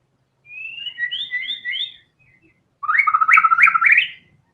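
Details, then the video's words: White-rumped shama with two phrases: a set of short paired whistled slurs, a pause, then a dense burst of rapid looping warbled notes. "TEMBAKAN MURAI BATU GACOR BONGKAR SEMUA ISIAN FULL FIGHTER"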